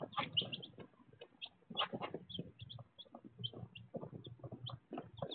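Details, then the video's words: Baby chicks on unedited chicken-cam footage, peeping constantly with sharp high chirps throughout, layered over low murmuring clucks and scratching sounds. "ASMR almost one hour of Baby Chicks!"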